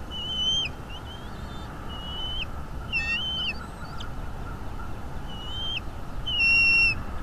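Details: Nest-cam sound from North East Florida, 22 February 2022 at 08:30: bald eagle whistles, high and thin, come in short strings of sharp, slightly rising notes, ending with a louder shrill burst, over a soft low rumble.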